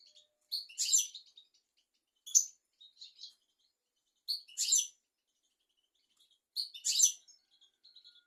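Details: Goldfinch song played to train young goldfinches and canaries: bursts of jangling, buzzy high notes with short twitters between them, recurring about every two seconds, no other sounds.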